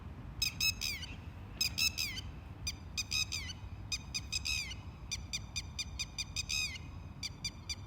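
Red-wattled lapwing giving shrill, sharply falling notes in quick bursts of three or four, repeated about once a second, over a low rumble of background noise.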